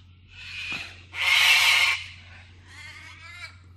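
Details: Cockatoos on Oxley Avenue. A short rasping squawk is followed by a loud, grating screech lasting nearly a second, then a fainter rough wavering call, all over a constant low hum.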